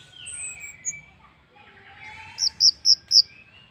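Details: Orange-headed thrush lure song for making other birds sing: soft, faint warbling followed by four loud, evenly spaced high piping notes in quick succession.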